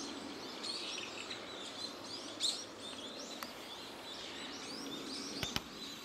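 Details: A large flock of brown-eared bulbuls in ecology-park woodland on 29 March keeps up a constant din of shrill, overlapping squeals and chirps over a steady outdoor hiss; the observer wonders whether they sense an earthquake precursor.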